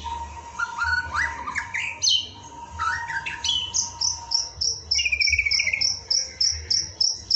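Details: White-rumped shama fill-in song material meant to stir up a kept shama: varied bright whistles climbing in steps, then a rapid chain of high, sharp repeated notes, over a steady electronic hum and low rumbling background.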